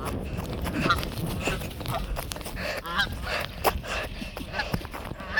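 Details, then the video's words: Geese at a pond, chased off and taking flight; scattered nasal honks come through heavy low rumble and handling noise, several birds calling irregularly. "Geese honking and flying"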